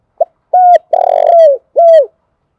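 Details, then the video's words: Spotted dove decoy song of the calling type, used to lure wild doves: a short low coo, then a long level coo, a rolling purred coo sliding down, and a final level coo, all mellow and low-pitched, with a clean, quiet background. "tiếng cu gáy mồi chuẩn Gáy Gọi dùng kích bổi hiệu quả"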